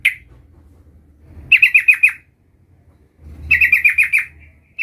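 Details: Sooty-headed bulbul, a young bird learning its rolling song, gives two short bursts of rapid descending chirped notes, five or six per burst, separated by about a second of near silence.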